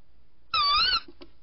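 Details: Tawny Owl, a female on a second night visit at 01:30 on 14 January 2019, giving one shrill, slightly wavering, nasal squeal lasting about half a second, followed by a faint soft knock.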